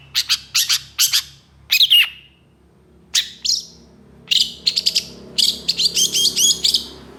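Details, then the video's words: Excited long-tailed shrike answering another shrike with a harsh song. It gives clipped, high, grating chirps in quick groups and a longer descending squawk. The song ends in a fast, twittering run of varied notes. "KICAU CENDET GACOR EMOSI CEPAT DI RESPON PENTET JENIS LAIN, MASTERAN CENDET FULL TEMBAKAN KASAR"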